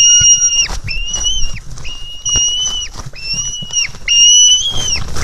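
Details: White-tailed Eagle chick begging for food from its mother at the nest, filmed on a live camera in July 2018. Five long, steady, piping whistles come in quick succession, each ending in a downward slur, over low wind noise.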